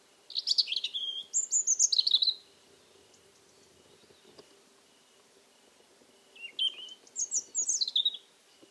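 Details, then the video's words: Robin song at an old house among cork oaks in Alentejo, warm mid-October evening 2014: two bright, jumbled phrases of high, rapid notes and trills with about four seconds of quiet between them. "Das Rotkehlchen singt, als begänne der Frühling"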